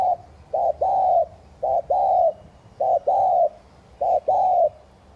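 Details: Thúc gù cooing of a spotted dove, played to get fresh wild-caught doves cooing. Four or five rhythmic phrases, each a short hoot and a longer falling coo, come about once a second, low and hollow.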